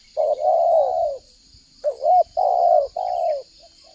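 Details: Spotted dove lure call for trapping and for training doves to sing: a long hollow coo, then a brief rising note and two more sustained coos, with a steady shrill insect buzz throughout.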